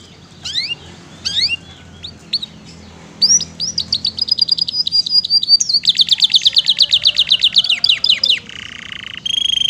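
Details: Canary song for tutoring other birds, 'isian mewah' fill: a few scattered downward whistles, a steady thin tone, then a fast, even, rattling trill and a low buzzy phrase with a higher trill at the end.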